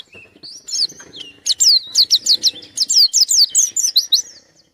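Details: Gacor pleci white-eye challenging an opponent: a few soft thin notes give way to a fast, steady run of loud, high, sliding chirps, each one a quick downward sweep.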